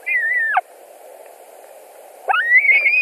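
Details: White-tailed eagles at a nest in Latvia, 17 July 2020 around 22:00, during a fish delivery with two adults arriving and competing for the fish: two loud, thin, wavering yelping calls with harmonics, separated by a pause, over a steady low hum.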